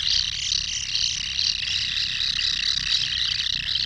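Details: Recorded from a common kingfisher nesting burrow: dense, high, grating calls run almost without pause, with faint rhythmic swells, over a low muffled rumble.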